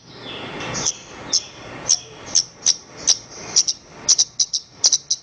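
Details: Song of a Horsfield's bush lark meant for training other songbirds: sharp, high, ticking notes that start spaced about half a second apart and then speed up into quick doubled clusters.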